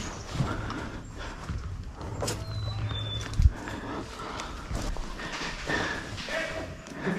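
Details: A Black-capped Chickadee in the background during an airsoft game in Walcott, Connecticut, gives one soft two-note "HEEEheeee" whistle, the second note slightly lower, under rumbling outdoor noise, footsteps and a man's voice.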